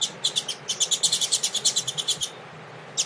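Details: Double-collared seedeater (Coleiro Tui Tui) warming up with a female before a contest: a fast run of bright, high chirped notes repeated rapidly for about two seconds, a short pause, then the notes resume.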